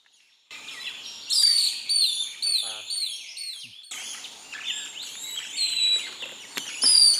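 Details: A pair of Long-tailed Broadbills at a nest in Kaeng Krachan, 2018, give thin, high whistled notes, many overlapping in a busy run, with a brief lower buzzy note and steady background hiss.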